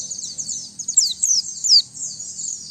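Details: White-eye song for luring and tutoring songbirds, recorded free of ambient noise: continuous high, thin, fast twittering with a few louder downslurred notes standing out.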